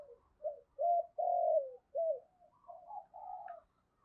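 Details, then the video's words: Quiet cooing from a female spotted dove, given to arouse males: a sequence of soft, hollow coo notes, some short and looped, some longer and falling, ending in a fading purr. "cu mái gáy kích trống hiệu quả, trống nghe rất phấn khích và nổi nhanh"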